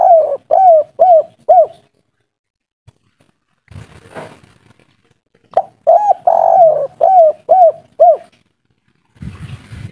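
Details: Wild local spotted dove of the kuk-3 style, described as agitated, calling noisily with a big voice: two runs of four short, hoarse, downward-curving coos in quick succession, separated by a pause with brief rustling and knocking noises.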